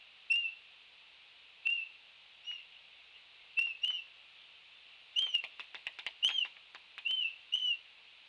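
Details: Laysan albatross (Phoebastria immutabilis) chicks during a beak-fighting turf war at a nest, 30 May 2016: short, high whistled upslurred squeaks every second or so, with a burst of sharp clicks and clacks midway over steady background hiss.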